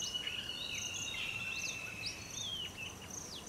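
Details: Male Oriental magpie-robin giving varied clear whistles, with quick upward and downward sweeping notes at a lively pace over a steady high insect-like drone.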